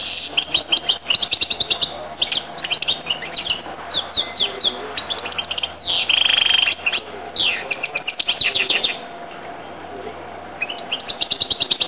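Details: Goldfinch-canary hybrid in sustained song: fast chattering trills and twitters, a loud buzzy rolled phrase near the middle, then more rapid repeated notes, all high-pitched over a low background hum.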